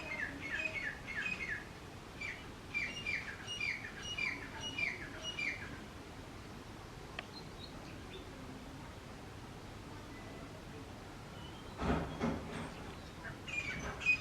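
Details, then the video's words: Male and female grey francolins, calling loudly together, give several bursts of quick repeated sharp notes during the first six seconds, then quiet background with a brief rustle and scattered faint notes near the end. "Male & Female Teetar Birds Voice | Male vs female teetar Sound"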